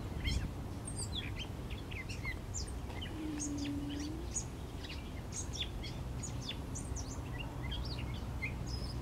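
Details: Gray catbird singing: a steady, jumbled run of short, varied squeaky and chirpy notes, some sliding up or down, tumbling one after another without pause over a constant low rumbling background noise.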